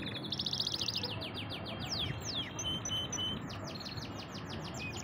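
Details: Pet canary in full song: fast rhythmic trill of repeated notes, then downward slurred whistles, sustained pure tones and another quick rolling series, over faint low hum.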